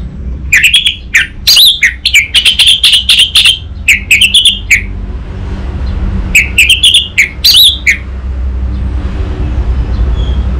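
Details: Song of an orange-headed thrush from North Bali, Indonesia, meant to spur a young bird into singing: long run of rapid, varied chirps and whistled notes, a short break, then another quick burst over low rumble.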